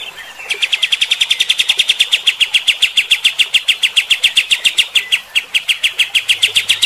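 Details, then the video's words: Sustained 'mbeset' shooting song of a kapas tembak bulbul, used to anger fighter-type birds: a long unbroken string of rapid, raspy chirps, roughly four to five per second, steady and insistent throughout. "AUDIO KAPAS TEMBAK GACOR MBESET TEMBAKAN KASAR. BIKIN EMOSI BURUNG TIPE FIGTER"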